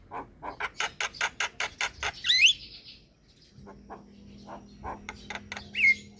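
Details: Javan myna (jalak kebo) singing in lively, loud form: a steady series of rough repeated notes, then a squeaky looping whistle, quieter clicks, a low steady hum behind, and a final sharp whistled note.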